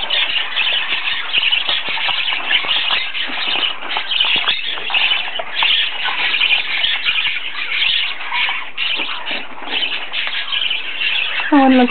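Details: Baby parakeets begging for food, a dense continuous chorus of harsh, raspy squealing calls without pause, with a woman's soft voice speaking to the birds.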